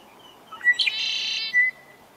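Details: A Red-winged Blackbird, apparently at Patagonia Lake, Arizona, gives a few short clipped notes, then a harsh buzzy trill lasting about half a second, and ends on a thin whistle.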